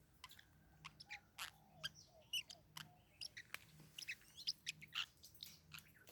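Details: Quiet, busy stream of short high chirps and tiny sharp notes from pet Forpus parrotlets during a fight, with soft whistled slurs and a low background hum.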